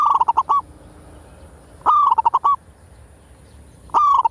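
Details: Zebra dove in full kerot lure song: three bursts of quick stuttering coos, each opening on a strong drawn note followed by rapid clipped notes, about every two seconds over a quiet background.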